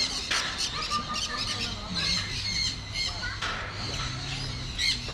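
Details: Parrots, mostly South American macaws and other colourful species, in a walk-through aviary at Trichy Birds Park, Tamil Nadu, India, where visitors hand-feed seeds; harsh, shrill squawks burst out repeatedly from several birds over visitors' chatter.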